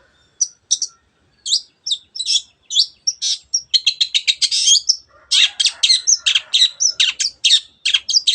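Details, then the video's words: Long-tailed shrike singing hard, used to provoke other birds into song: scattered high scratchy notes that quicken into a continuous rattling stream of harsh, buzzy chips, with a brief fainter pause partway through. "cendet gacor teot teot jadikan burung anda cepat emosi dan ikut gacor"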